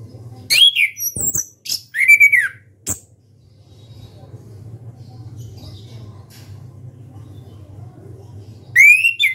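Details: Orange-headed thrush, a kept bird singing loudly with open beak: bright whistled phrases descending around mid-high pitch, given in short bursts with pauses of several seconds between, a faint hum beneath.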